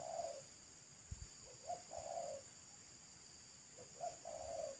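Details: Wild local spotted dove with a thick, loud pesom-style voice, calling at a roadside, heard faintly: soft coo phrases a couple of seconds apart over steady background hiss and a few low knocks.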